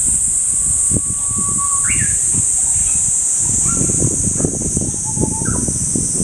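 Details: Japanese bush warbler (uguisu) singing in a whistle-like way: a long, steady, pure note followed by a quick rising flourish, then softer, shorter whistled phrases, over a constant high insect-like hiss and low rumbling background noise.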